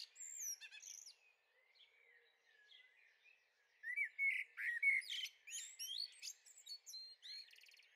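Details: Young common blackbirds in a garden, Veluwe, Netherlands, recorded 30 April 2014; an opening chirp burst, quiet thin whistles, then several seconds of busy overlapping chirps, upslurs and buzzy ticks.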